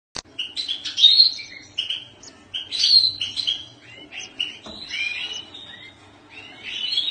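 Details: A European goldfinch sings a fast, tinkling warble of twittering notes and liquid trills, with rising and falling slurs and brief pauses, over a faint low hum.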